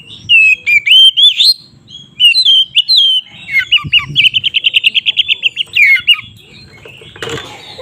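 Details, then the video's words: {'caption': 'Oriental magpie-robin singing loudly in fighting mood, used as a lure to anger other birds. Rising whistled phrases lead into a fast series of about fifteen clipped repeated notes, then a final burst of noise.'} "suara BURUNG Kacer GACOR ngeplong KONSLET Tarung"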